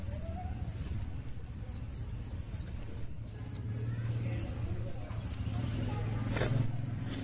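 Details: High, thin sunbird song from a kolibri wulung of the muncang daun type: three clusters of sharp downward-curving whistles, separated by quiet gaps of about a second, over faint background hum.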